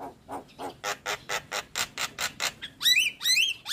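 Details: White-eyed Javan myna song meant to get lazy birds singing: a steady series of rough, nasal chack notes about two per second, then two bright squealing whistles.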